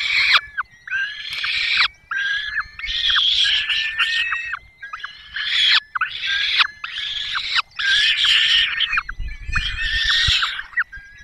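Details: At a Peregrine falcon nest in Poland's Barycz Valley, 5 May 2022, the female feeds chicks after the male delivers a small bird; repeated harsh, rasping cries and high thin whining in dense bursts with brief gaps.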